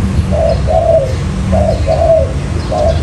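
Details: Lure for trapping wild spotted doves, 'mailai' call style: two full coo pairs, each a short soft note then a longer rolling one, and the start of a third, over steady low-pitched hum.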